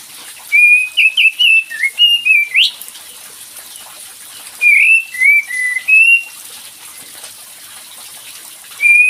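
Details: Cream-vented bulbul, used as a lure to get a quiet bird singing: clear whistled phrases wavering and rising near the top, in two bursts with a pause between, over steady hiss like running water.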